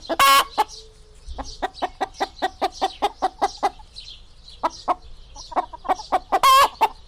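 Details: Chicken calling with a loud harsh squawk, then an even series of short clucks roughly every third of a second, ending in another piercing squawk.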